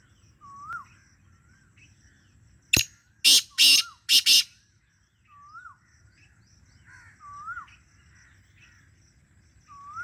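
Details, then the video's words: Black francolin giving a loud, harsh, grating call of a sharp click and three rasping notes, while another bird repeats soft rising whistles in the background. "Kala teetar voice"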